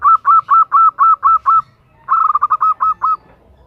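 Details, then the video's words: A female zebra dove calls for the male to answer. A steady string of eight even, rounded notes is followed after a short pause by a faster stuttering run that slows into separate notes again. "Perkutut betina memanggil JANTAN - Suara BETINA GACOR Mengundang Bunyi"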